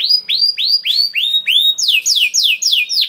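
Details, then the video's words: Canary song used to spur other canaries to sing: five rising whistled notes about three per second, then a series of fast downslurred whistles. "KENARI GACOR CENGKOK ISTIMEWA #235 || VOICE OF CANARY"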